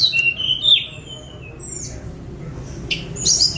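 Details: Released spotted Sunda robin captured on a mobile phone: a few loud, high, sliding whistles opening and closing the phrase, with a thin falling note between and low hum behind.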